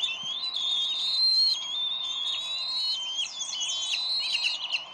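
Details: Squabbling bald eagle parents over a fish at the Decorah nest, 30 May 2012; sustained shrill whistles slide upward, ending in a burst of rapid, jagged chittering squeals.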